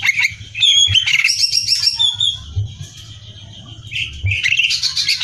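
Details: Greater green leafbird song recorded as material for competition training: an opening burst of rich whistles and chatter, a quieter steady whistle, then another rising chattering phrase, with low noise.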